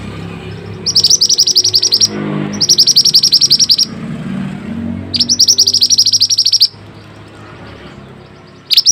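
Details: Mantenan song for training (masteran): loud, rapid high trills in bursts of about a second, each a fast run of sharp repeated notes, separated by brief pauses, with a low murmur beneath.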